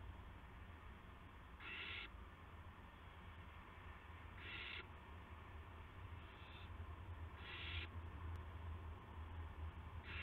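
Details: On March 18, 2016 at 8:00 PM an owl arrives with a gopher; repeated rough, hissing screeches roughly every three seconds, one noticeably softer, with continuous low hum beneath.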